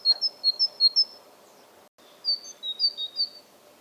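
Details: Great tit (Parus major) delivering the classic two-note 'teacher-teacher' song: bright, high alternating notes in two runs of about six, split by a brief silence.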